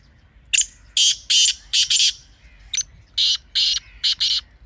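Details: Partridge (teetar) calling in two phrases of harsh, rasping notes, roughly five in the first phrase and four in the second, separated by a short pause, over a quiet background.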